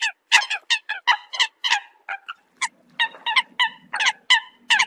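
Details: Eurasian coot flock calls used to gather the group, short clipped honks delivered in quick bursts of two or three with small gaps, a faint low hum running underneath in the second half.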